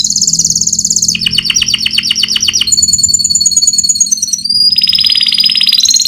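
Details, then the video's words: Fighter canary performing its rolling song, used as a master recording for training canaries: a high trill dropping into fast descending rolls, then a clear high whistle and a buzzy rolled phrase, loud and continuous. "Burung canary fighter || Suara ngeroll || Cocok sekali untuk masteran"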